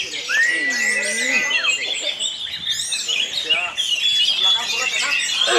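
Orange-headed thrush song: fast, varied run of high whistles, slurred notes and chattery phrases, overlapped by other birdsong with faint voices behind.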